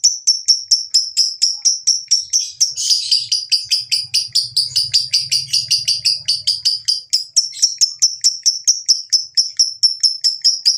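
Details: Long lovebird ngekek used to stimulate lovebirds to sing: a sustained rapid rattle of piercing high chips, several per second, briefly roughened by a burst of extra chatter, with a low hum in the middle.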